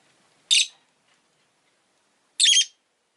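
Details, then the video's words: Two separate strident, grating chirps from a rosy-faced lovebird, spaced about two seconds apart, with near silence between them. "Lovebird Chirping Sounds"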